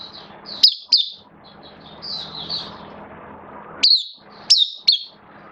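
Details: Hobby-kept oriental white-eye in a cage, 11 September 2022, form slightly down: sharp, piercing high chirps in short bursts separated by quieter, softer warbled phrases and brief near-silent gaps, low room hum beneath.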